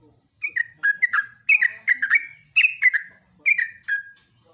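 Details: Morning ropelan song of a yellow-vented bulbul (trucukan), kept as tutor material for songbirds: clusters of liquid, downward-slurred whistles with sharp clicky starts, four quick phrases separated by brief gaps.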